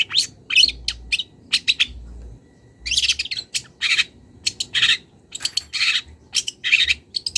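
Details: Young long-tailed shrike from the wild, calling a rival while its mimicry begins: irregular clusters of harsh buzzy notes and sharp high chirps, separated by brief pauses, with a low hum in places.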